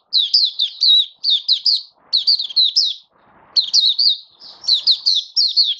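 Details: Oriental white-eye (mata puteh), a hobby-kept songbird in 'buka sing raja' song display, recorded 21 October 2022: bursts of rapid, high, twittering notes with quick up-and-down slurs, phrases separated by short pauses. Faint low rustling sounds in the background.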